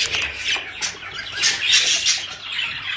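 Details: Budgerigar courtship chatter used to stimulate breeding: loud, busy, rasping warbles rising and falling in quick waves with no gaps.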